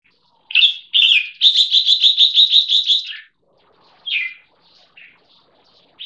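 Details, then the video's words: Caged crossbreed red-whiskered bulbul (jambul) of champion competition bloodline, aged one year six months, singing its keke: a rapid run of about nine bright, rolling whistled notes, preceded by two slurred phrases and followed by scattered short notes. "Bench marking A Jambul's Keke"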